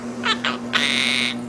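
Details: A pet male Quaker (monk) parakeet that mimics speech and dogs gives two quick raspy syllables, then a longer harsh, buzzy phrase, likely mimicked speech such as "hello baby", over a steady low electrical hum.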